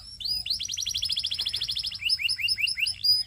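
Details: Canary song: rapid rolled trill of bright high notes for two seconds, then shifts to a slower series of rising, slurred chirps repeated about four times a second.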